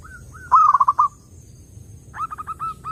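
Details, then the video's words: Clear zebra dove song for luring other doves: two soft lead-in coos, then a loud rolling phrase of about five stuttered notes, later a softer series of evenly spaced short coos. "SUARA BURUNG PERKUTUT _JERNIH_"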